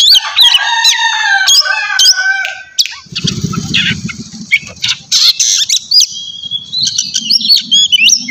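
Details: Morning ngeplong song of an Oriental magpie-robin: quick whistles and layered notes, then a low rumbling noise beneath scattered high chirps and renewed upslurred whistles.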